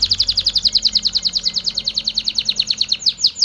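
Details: Canary singing to prompt mating in males and females: a rapid steady trill of bright sweeping notes, about nine per second, ending in slightly longer downslurs, over faint low hum.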